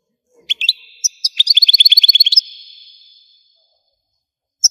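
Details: Algerian European goldfinch singing: a few sharp chirps, then a rapid run of about a dozen evenly spaced, bright tinkling notes, ending in a brief trill and a final chirp.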